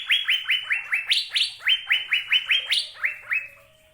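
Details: Cucak biru, the Asian fairy-bluebird, delivering a rapid run of clear falling whistles, roughly three per second, punctuated by a few higher accented notes, then fading out at the end.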